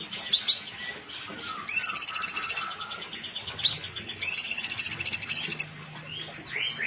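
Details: Female sooty-headed bulbul (Pycnonotus aurigaster) singing bright chirps broken by two fast, dense, high rattling trills of about a second each; a faint low hum follows.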